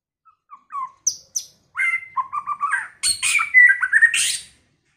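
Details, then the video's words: Early-season White-rumped shama song with many varied notes: soft short chips, a pair of high thin notes, a string of fluting mid-pitched whistles, then a rich burst of rasping high notes and sweet rising whistles. "chòe lửa hót,chòe lửa chuyền mùa đầu"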